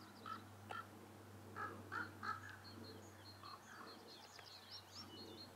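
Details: A Northern lapwing at Ljubljana Marsh (Ljubljansko barje), Slovenia, on 21 April 2023, gives short, nasal, wheezy calls in quick bursts, about five in three seconds. A low steady hum and other faint birds are behind.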